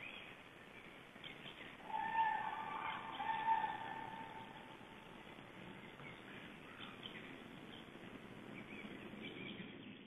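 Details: Cranes flying over a Black Stork nest in Estonia on 13 April 2012 give one drawn-out, trumpeting call lasting about two seconds, then fainter calls farther off over a steady outdoor hiss.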